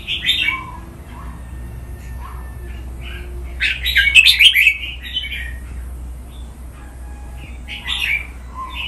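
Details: Caged red-whiskered bulbul, recorded for song training, delivering scattered warbled phrases and one loud chattering burst near the middle, with soft low notes and a constant faint hum throughout.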